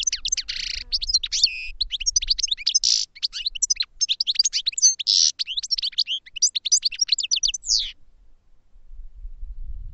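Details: European goldfinch singing in a cage for training: an unbroken eight-second stream of high twitters, buzzy notes and tinkling trills, fast and varied, before stopping, with faint low hum.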